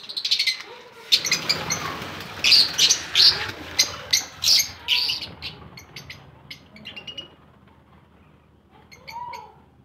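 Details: Lovebirds in a colony giving loud, sharp, high chirps and screechy notes in rapid bursts, densest in the first half and then thinning to scattered calls with quieter gaps.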